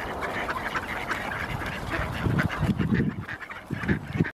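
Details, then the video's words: A wintering flock of Mallards in Helsinki, Finland, in February 2019, feeding on something they found, gives low, nasal quacks and soft chatter in short bursts over a steady background rumble. "Mallards in winter, foraging and vocalizing"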